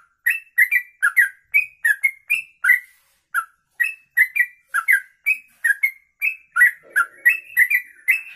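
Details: Sooty-headed bulbul singing a long 'ropelan' style song, described as suitable for training other birds: clean, bright whistled and chirped notes in quick bursts, repeated steadily with short pauses throughout, no other sounds.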